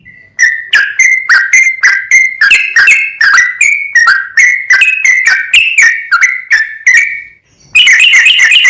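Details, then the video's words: Sooty-headed bulbul in continuous 'gacor' tutor song intended to excite other bulbuls. Rapid string of bright, slurred whistles of varied pitch, about three per second, ending after a short pause in a fast chattering burst. "MASTERAN BURUNG TRUCUKAN GACOR FULL ROPEL, BIKIN TRUCUK LAIN LANGSUNG NAIK EMOSI DAN GACOR"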